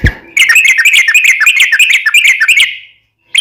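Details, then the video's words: Yellow-vented bulbul, daily tutor recording for caged birds: a dense run of quick, bubbling whistled notes lasting over two seconds, opening after a low thud and fading into silence. "KICAU SUARA trucukan gacor KHUSUS BUAT MASTERAN HARIAN menjadikan burung trucuk gacor NYAUT SEKETIKA"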